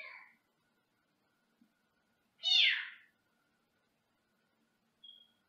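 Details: A pet Senegal parrot in a small cage, recorded from another room indoors, gives a loud, harsh, downslurred squawk, with a shorter squawk at the start and a brief high whistle near the end.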